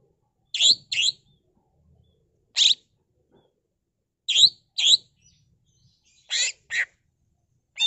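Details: Cucak ijo, the greater green leafbird, in energetic gacor singing: sharp, bright chirped notes that drop quickly, often given in doubled pairs with pauses of a second or more between them, and no other sounds behind.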